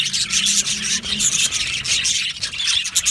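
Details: Budgies chirping in a crowded aviary during mating time. High twittering and squeaky notes blend into a dense flock chorus that pulses slightly throughout.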